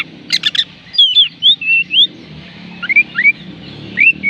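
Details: Oriental magpie-robin song for coaxing quiet birds to sing: a rapid rattling burst, then a string of sweet, slurred whistles rising and falling, over a low murmur.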